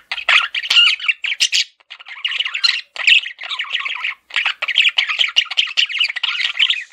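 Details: Pet male budgerigar giving a continuous stream of rapid, grating warbles and squawks broken by brief gaps, harsh and high-pitched throughout.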